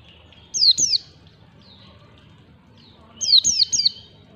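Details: White-eye song used as a lure to train young birds, in the ngalas style: two short bursts of high, sharply down-slurred chirps, two or three notes each, separated by about two seconds of quiet, with sharp clicks.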